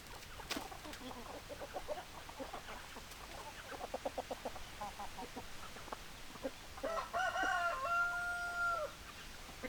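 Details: Chickens with hens clucking and roosters crowing; series of short repeated clucks about four per second, then a long drawn-out crow near the end, over steady background hiss.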